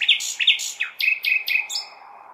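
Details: Common nightingale singing on a May night in a large city: a rapid series of sharp, bright chirped notes, each dropping into a lower buzzy tone, with a faint steady urban hum underneath.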